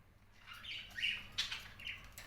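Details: Pet cockatiel giving a few soft, slurred chirps that dip and rise, with two louder notes near the middle, over a quiet indoor background.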